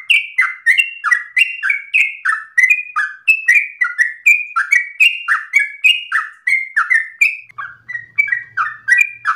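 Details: Yellow-vented bulbul singing hard in a rapid, nonstop, long-breathed style whose phrasing is meant for young bulbuls to copy; bubbly, slurred, mostly falling notes tumble out about three per second without a break, with a faint low hum near the end.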